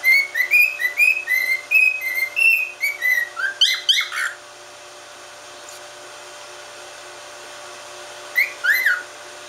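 A cockatiel gives a fast run of short, bright whistled notes that wobble up and down, ends with a few rising chirps, then goes quiet before two more calls.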